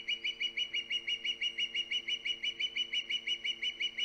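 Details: Osprey at the nest on Hog Island, a live nest cam on 3 September 2019, calling loudly: a fast, steady series of sharp, high whistled chirps, about three per second, with faint low steady hum beneath.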